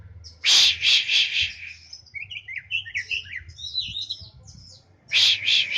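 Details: Morning sunbathing session for a caged Oriental magpie-robin. Three loud grating rasps open, followed by a rapid jumble of squeaky twittering phrases, then loud harsh rasping notes return at the end.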